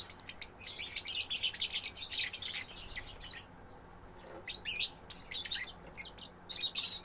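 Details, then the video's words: Young lovebird in gacor song, pouring out dense, screechy chattering for several seconds, falling briefly quiet, then resuming with sharp bursts of high chirps. "Love Bird Gacor anakan"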